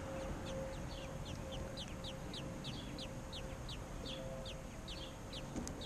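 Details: American robin babies being fed by their parents: short, high, downslurred chirps repeated rapidly, about three each second, over a steady low rumble and a faint constant hum.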